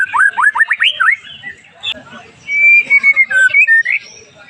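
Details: Caged white-rumped shama singing, used to provoke other shamas into song: a quick series of rising whistled notes, a pause, then a long clear whistle followed by short sharp phrases.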